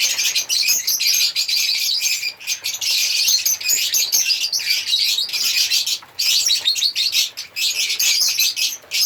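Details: Continuous shrill chirping and squeaky singing from African lovebirds, a busy high twitter broken by a few brief pauses.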